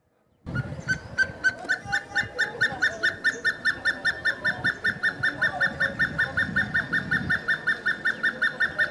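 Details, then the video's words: Hemprich's hornbill calling in Dessie, Ethiopia: after a brief silence a fast, regular run of loud piping, slightly nasal notes starts, about two to three per second, continuing unbroken with faint background rumble. "Hemprich's Hornbill Calling and Singing"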